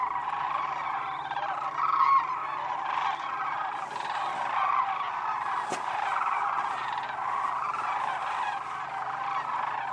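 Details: Wintering sandhill cranes at Whitewater Draw Wildlife Area, Arizona; a continuous chorus of distant and nearer rolling calls, with a single sharp click midway and a low background hum.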